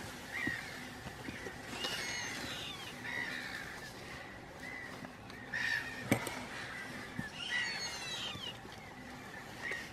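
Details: Courting Chilean flamingos at Laguna del Ornitólogo (Laguna Negra), Trelew, Argentine Patagonia. Repeated nasal, goose-like honks come in bursts every couple of seconds, with fainter overlapping calls and a steady background hiss.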